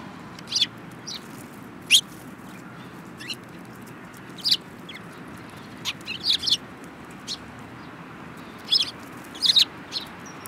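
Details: A group of sparrows, one with a yellow beak, on 24 February 2018. Sparse single chirps, sharp and high, spaced one to two seconds apart. Some come close in pairs, over a faint hiss.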